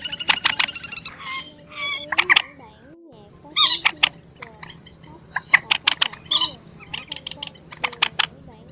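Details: Night-net trapping lure of Quốc biển and Trích ré, two birds calling, migration season March 2024: rapid stuttering series of sharp clicks, mixed with buzzy squawks and brief nasal notes, busy and overlapping.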